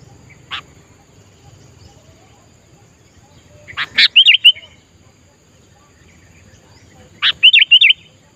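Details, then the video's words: A sooty-headed bulbul singing in the wild, used to train captive bulbuls, gives two short bursts of bubbly, liquid notes, each a sharp note followed by three quick warbled phrases, a few seconds apart. "Kutilang agar Gacor Adalah Dengan Mendengar Langsung Suara Di Alam"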